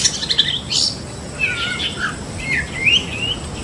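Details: White-rumped shama of the Medan type, a kept songbird: several short whistled phrases in the high range, some rising and slurred, a few buzzy notes early on, over steady low background noise.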